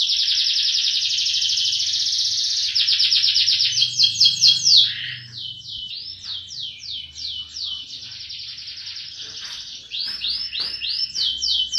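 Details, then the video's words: Canary roll song: a long buzzing trill of several seconds, a burst of sharp sweeping notes, then softer slurred whistles and a closing run of rising loops. "Kicauan kenari roll power full"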